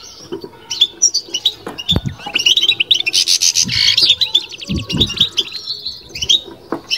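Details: European goldfinch batbata song in captivity: chattering high notes leading into a loud, harsh trilled burst, then lighter tinkling phrases, with occasional thuds.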